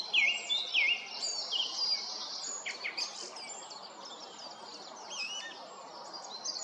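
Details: Song thrush singing bright, high whistled phrases, the opening phrase repeated twice, over a busy background of other chirping birds, at Stodmarsh Nature Reserve, Kent, UK, while a little owl falls asleep nearby.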